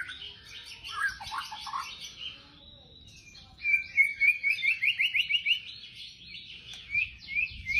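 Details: White-rumped shama delivering 'tembakan' song: a scratchy, buzzy opening, a brief thin whistle, then a loud rapid series of clipped high notes repeated about three times a second.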